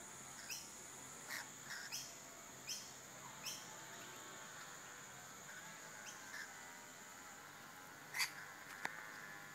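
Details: Mating rainbow lorikeets in bushland give brief grating screeches at irregular intervals, about one per second early on, then sparser. A couple of sharp clicks come near the end over faint background noise.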